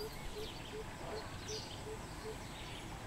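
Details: Greater coucal recorded 13 June 2020, giving a steady series of about seven low, hollow hoots evenly spaced roughly every 0.4 seconds. A constant hiss and faint rumble lie beneath the calls.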